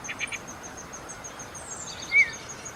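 A downy woodpecker gives one sharp, high pik note, with a few fainter notes just before. A thin, steady insect whine runs underneath throughout.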